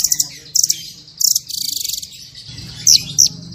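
A blue nuthatch gives very high, thin chips and a quick run of rapid, evenly spaced notes, then a few more sharp chips, over a faint low hum.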